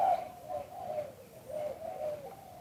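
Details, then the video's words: Spotted dove cooing in a recording made live, with a style described as auspicious liw tan: low mellow coos in repeated phrases, each note slightly dipping, with quiet background. "เสียงนกเขามงคล หลิ่วตัน"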